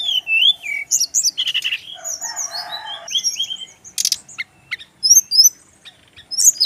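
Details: Male brown-chested jungle flycatcher song used for training birds: wavering whistles, a harsh buzzy rasp and low churring, then sharp rattles and scattered high chirps.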